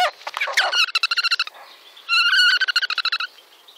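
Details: Long-eared Owl giving a terrified call while attacked by a Goshawk: harsh, nasal screams in rapid stuttering bursts, with a long wailing squeal at the midpoint, all high and frantic.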